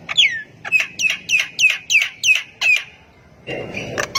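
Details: Javan myna singing actively, prompting other mynas to join in; seven sharp descending whistled notes repeated about every third of a second, then a noisy harsh burst.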